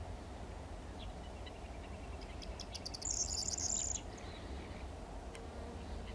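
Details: A corn bunting recorded on 10 May 2022 sings a short phrase of quickening dry ticks that breaks into a high, glassy jangle like shaken keys, over a steady low wind or rumble.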